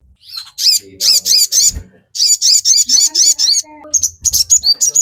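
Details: Sogon song used as a master recording to train captive birds to sing. Fast bursts of high, buzzy chirps repeat in quick runs, broken by a short pause, with a few lower warbled notes and faint background noise.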